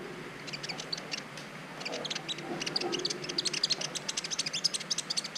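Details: Brown-throated sunbird, green variety known locally as kolibri ninja, in a master recording used as learning material to stir mating urge in other birds: rapid, high, thin chirps and twitters in dense bursts, quickening toward the end, over faint low hum.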